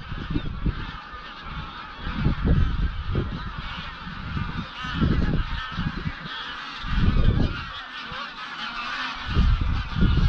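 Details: Evening flight of Greylag Geese, some 200-300 birds, heading at dusk to roost on Llyn Maelog, Anglesey; continuous massed honking with harmonic calls over strong gusts of wind noise that swell and fade every second or two.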